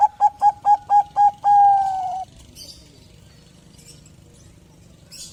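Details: Bangkok-type zebra dove singing freely, a song used to prompt other doves to sing: six short, soft, bubbling coos in quick succession, then one long sustained mellow note, followed by near silence with faint clicks.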